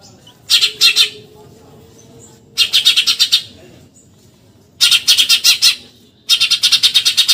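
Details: Eurasian tree sparrow delivering 'tembakan nyerecet' bursts for training contest songbirds: four dense volleys of fast, grating chirps, roughly every two seconds, each lasting under a second, over a faint low murmur.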